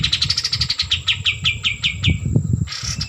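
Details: White-eared bulbul in full, lively song: a rapid run of bright chirps, about seven per second, each sliding downward and the run falling gradually in pitch, over a low rumbling background and a steady thin high whine.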